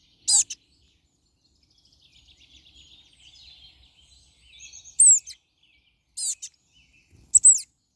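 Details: Short, high-pitched trilled phrases of European crested tits, four brief bursts spread over eight seconds, with soft thin twittering filling the spaces between.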